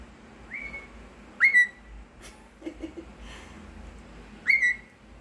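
A cockatiel gives clear, rising whistles, repeated a few seconds apart, with soft clicks between.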